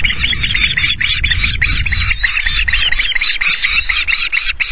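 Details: Ospreys screeching at the Loch Garten nest on 9 August at 09:00, driving an intruding osprey away; nest camera. Dense, overlapping chain of shrill, harsh notes runs without pause throughout, over low wind noise.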